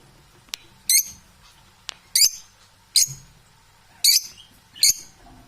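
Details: Unbalanced domestic parrots indoors: five coarse, high squawks at uneven intervals of about a second, with sharp clicks before some of them.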